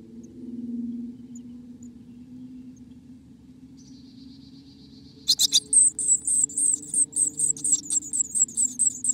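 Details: Inside a black-capped chickadee nest, a faint high buzz gives way to a loud series of sharp, very high chipping notes repeated quickly and evenly for several seconds above a low background hum.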